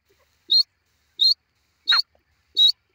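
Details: Grey francolin, a new pair, giving four short, high, clipped notes spaced about 0.7 seconds apart; the third note carries a lower, rougher smear beneath it. The background is otherwise quiet.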